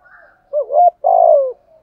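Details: A single phrase of urging 'thổ'-voice cooing by a spotted dove, meant to stir other doves into answering. A quick rising-falling note leads into a sustained low coo that drops at the end.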